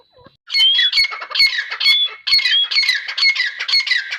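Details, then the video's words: Teetar, the grey francolin, after a brief faint start bursts into loud, harsh repeated phrases with rising whistled notes inside them, continuous to the end. "Teetar awaz | Teetar Voice | Teetar sound | Grey Francolin Teetar sound"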